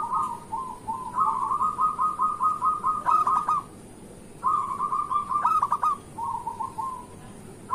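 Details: Morning song of a local zebra dove, played to prompt lazy or moulting doves to sing: fast stuttering coos strung into long rolling phrases, separated by brief pauses.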